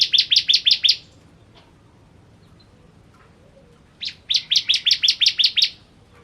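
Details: Bar-winged prinia (ciblek kristal) delivering two rapid phrases of sharp, chirping notes, about six in the first and nine in the second, with a three-second gap.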